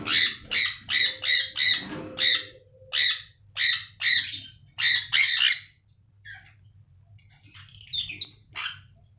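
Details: Budgerigars kept in a cage aviary, playing, singing and eating: a quick run of about ten harsh, grating squawks over six seconds, then softer scattered chatter, over a steady low hum.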